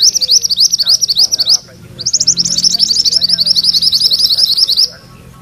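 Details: Mantenan kuning in loud, rolling ngerol song: fast, high, buzzy trilled notes strung into long unbroken runs, a brief pause, then another long rapid roll.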